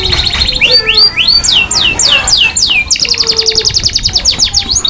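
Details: Masteran canary song: a series of loud whistled notes sweeping down and up, repeated about twice a second, then a quicker run of clipped repeated notes, over a low background hum.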